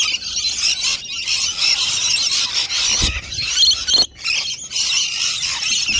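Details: Lunchtime flock of rainbow lorikeets feeding on nectar: a steady wall of harsh high screeches and chattering, with a couple of brief thumps or gaps.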